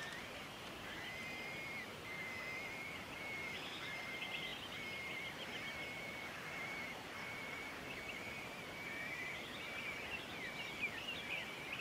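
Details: Crested bellbird (Oreoica gutturalis) in Victoria, Australia, September 2016, giving a long series of thin, ringing notes at a steady high pitch, repeated almost continuously, over a constant hiss of wind or distant surf.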